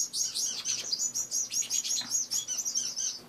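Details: Several caged pet finches at home in the morning keep up a busy stream of short, high, thin chirps and tweets, overlapping almost without pause, some notes sliding down, with a faint low hum underneath.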